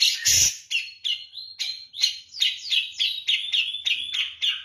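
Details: Javan-type grey-cheeked bulbul singing persistently in the 'kapas tembak' style for song training: a sharp burst opens, then a rapid string of short, bright, downslurred whistled notes, about three per second, with faint clicks.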